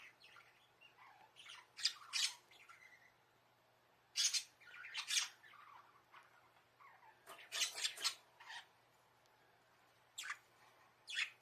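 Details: Caged budgerigars in a little bird house call to their keeper, seeming to want play. Chirps and harsh squawks come in irregular bursts and clusters, some softer warbled notes between, recorded indoors by a hidden camera.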